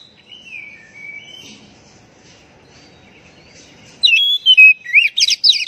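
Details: Oriental magpie-robin, used as a lure call for stressed birds that have stopped singing: faint, low background murmur at first, then a loud burst of clear whistles and fast, buzzy, rising notes near the end.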